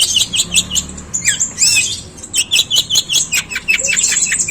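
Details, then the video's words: A long-tailed shrike mimics sparrows in a coarse, scratchy song: jumbled high chirps and harsh, squawky notes that rise and fall, delivered in quick uneven bursts. "Suara pentet tembakan gerejaan panjang dan kasar"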